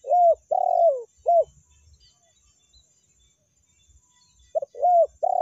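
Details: Spotted dove (tekukur) lure call in the meratus and melambung styles. A husky coo phrase with a long falling middle note ends, then silence with soft low knocks, then another phrase begins about four seconds later.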